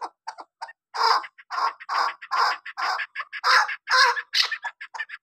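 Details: Chukar calling: a hoarse, rhythmic series of clucking notes, repeated about twice per second, building into a steady chattering sequence.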